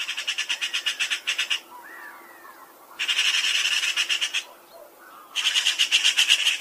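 Eurasian magpie giving three bursts of harsh, rattling chatter, each a fast run of dry chak notes, with faint softer bird calls in the pauses.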